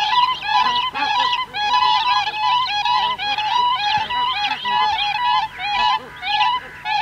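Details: Siberian cranes, adults and young, calling with bar-headed geese in the background: loud, musical, fluting bugled notes in overlapping bursts of about a second, with softer arched goose honks underneath.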